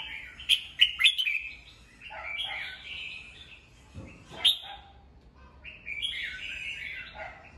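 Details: Caged red-whiskered bulbul singing in the morning, kept for voice training: bright warbled phrases with sharp clicking notes early on, then a sustained wavering whistle and a further rolling phrase, with a soft thump midway.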